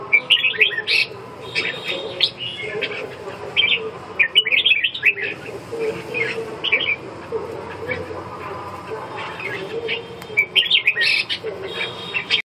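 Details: Red-whiskered bulbul singing at length, bursts of rapid bright whistled and chattered notes separated by short gaps, busiest at the start, middle and end, with a steady low murmur behind.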